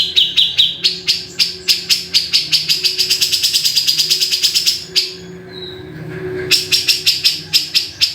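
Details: Grey-cheeked bulbul (cucak jenggot) rattling out fast, harsh repeated chips that accelerate into a dense trill, break off into a near-silent gap with one faint short whistle, then resume with steady rhythmic chipping.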